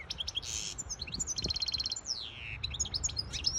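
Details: Hybrid European goldfinch singing to tutor chicks and excite a female: high chirps, a buzzy rattling trill, a long descending whistle and more quick twitters, packed into under four seconds.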